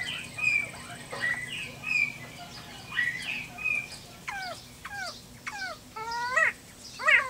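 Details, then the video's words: Caged pet quail calling back to a played recording in a yard: short whistled notes, then a string of downslurred and stacked harmonic calls roughly every half second. "Quail Talking to YouTube Video"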